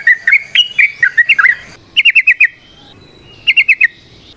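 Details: Trucukan (yellow-vented bulbul) in ropel variasi song with nrotok and ngecuplik: wavering warbled chirps for over a second, then two tight bursts of four quick repeated notes separated by silence.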